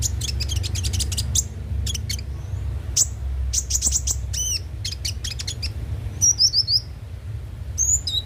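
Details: Konin (kolibri ninja) song used as a lure to spur singing: rapid runs of very high, sharp chirps, then arched whistles and short high trills, with a constant low background hum.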